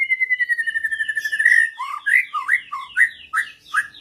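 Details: Shama joining in fiercely with another bird after a lure recording: a long steady whistle with a fast trill, then a series of bright upslurred whistled notes repeated about every half second.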